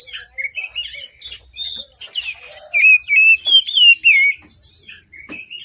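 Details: Oriental magpie-robin singing in the morning, used as a lure for birds reluctant to sing: a varied run of high chirps and trills, then loud whistled warbling phrases repeated in quick bursts.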